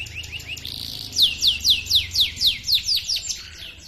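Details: A canary sings a long rolling series of high, quickly falling whistled notes, about four per second, over a soft low hum; a recording used to train and lure other canaries.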